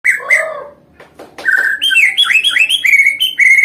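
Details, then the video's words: White-rumped shama song used to provoke rival birds: loud, varied whistled phrases, a few low notes, then a quick string of bright rising and falling whistles. "MASTERAN MURAI MACET PANCING EMOSI"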